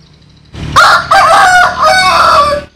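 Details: Rooster, Vietnamese or American Sil, giving a full crow: a rising first syllable, a steady middle section and a long drawn-out final note, clear over faint background hum.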